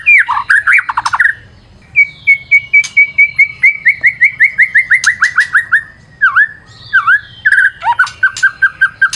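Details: White-rumped shama singing vigorously, used as a lure. Opens with quick trills, then a long series of repeated notes that slowly drop in pitch, two dipping whistles, and a closing rapid trill.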